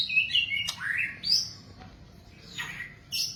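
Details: White-rumped shama phrases used to train captive birds: high sweet whistled notes and a downward slur, then a few spaced high chirps over faint background hiss.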